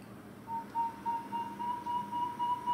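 A Northern Saw-whet Owl gives a steady run of clear, even, high toots, about three or four a second, over a faint low hum.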